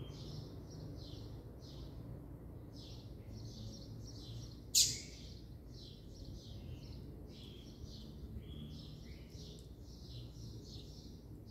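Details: Double-collared seedeater singing steadily: a long run of quick buzzy, slurred high notes in short clusters, a sharp click midway, steady low background hum.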